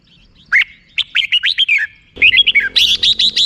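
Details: Red-whiskered bulbul in rik-style song: a chattering phrase of quick, bouncing whistled notes, then a busier run of rapid high notes over a steady low hum.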